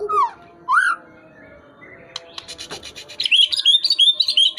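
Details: White-rumped shama in tail-flicking song: two rich slurred whistles, a soft clicking pause, then a quick rhythmic run of bright high twittering notes, about three each second.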